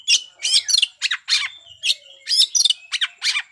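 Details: Oriental magpie-robin singing hard in fighting mode to provoke rivals: a dense, rapid stream of loud raspy, buzzy notes mixed with short whistles, roughly ten bursts in under four seconds.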